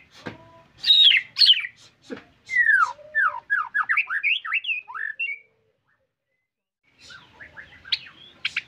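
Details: Captive white-rumped shama delivering a varied full song: sharp harsh notes, then a rapid run of descending whistled slurs, a few seconds of silence, and softer scratchy twittering at the end.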